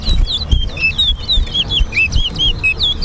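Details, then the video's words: Towa towa (chestnut-bellied seed finch) singing at a bird singing competition at Guyana National Stadium: a rapid series of clear whistled notes, some rising and some falling, over crowd murmur and low thumps. "TOWA TOWA BIRD SINGING COMPETITION AT GUYANA NATIONAL STADIUM"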